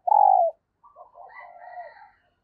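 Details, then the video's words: One strong sustained coo, slightly falling, from a female dove calling to stimulate males, followed by softer, wavering cooing and faint higher notes. "Tiếng chim Cu Mái Kích Trống Hiệu Quả"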